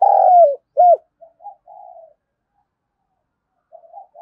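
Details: Spotted dove used as a decoy caller for wild doves. A loud, drawn-out throaty coo falls away, then a short arched note and a few soft, low murmured coos. Silence follows, broken only by quiet trailing notes.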